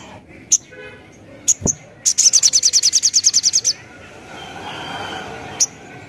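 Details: Crimson sunbird song used as a lure to draw responses from other birds: scattered sharp high chips, then a fast buzzy trill of around fifteen notes lasting one and a half seconds, and a final chip.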